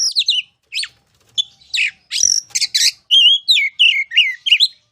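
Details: Masteran training song of the oriental magpie-robin (kacer): a fast jumble of sweeping whistles, harsh chattering notes and twisting phrases in close succession.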